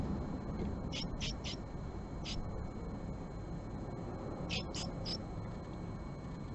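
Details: Japanese tit calls on a March 20, 2022 morning as a female visits the nest box occupied by a male: a trio of sharp high notes, a lone note, then another quick trio, over low continuous rumble.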